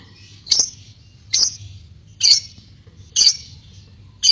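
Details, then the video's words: Short, harsh squawks from a white-beaked lovebird, five in about four seconds, each brief and grating, with a low hum in the quiet gaps. "LOVE BIRD ngekek panjang (Paruh Putih)"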